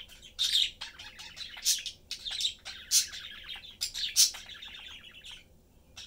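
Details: Budgerigar family, father, mother and one young, chatting and having fun while eating; rapid, excited warbling chatter with frequent loud shrill chirps, quieter in the last second.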